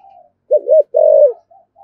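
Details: Brief single phrase of a spotted dove 'thúc gù' coo, 'thổ' voice, used to provoke wild doves: a wavering low note then a sustained hollow hoot, with faint softer coos either side.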